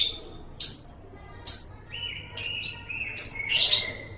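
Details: Sparse lovebird calls from a training recording for caged birds: isolated sharp, high chips spaced about a second apart, mixed with a few lower thin whistled notes and a short chattering flourish at the end.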